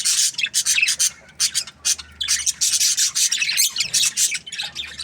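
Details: Aviary budgerigars in busy group chatter, rapid harsh chirps and squeaky warbles pulsing in quick loud bursts with brief pauses.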